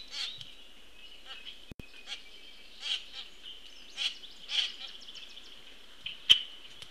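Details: Common Grackle juvenile begging while a parent feeds it, 22 June 2018, 14:29: scattered harsh, scratchy squawks roughly once a second or less, fainter and more spaced, over a steady high whine, plus a sharp click near the end.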